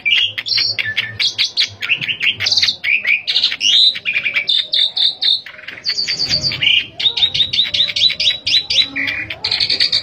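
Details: Asian pied starling in continuous, varied song, a rapid jumble of high whistles, chattering notes and harsh squeaks with no other sounds, recorded as a lure to make other pied starlings sing readily.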